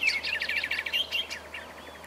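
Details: Greyish saltator recorded in Esperanza, Santa Fe, Argentina in 2023, a species known there to sing in duet; quick chain of bright chirped notes, with a faint rising whistle near the end over soft ambient noise.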